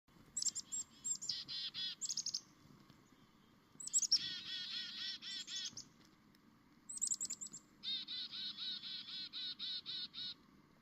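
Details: Chickadee in the morning giving three bursts of its call: a couple of thin, high notes then a rapid run of buzzy, harsh "dee" notes, over a low background hum.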